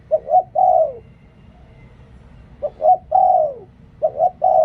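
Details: Spotted dove kept as a decoy bird, repeating its three-note coo: two short mellow notes then a sustained coo that drops at the end, three phrases close together.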